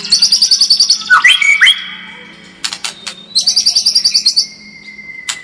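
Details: Lure song of a White-rumped shama, used to make birds more combative. Fast high chattering trills alternate with clear slurred whistles and a long steady whistled note, with sharp clicks between phrases.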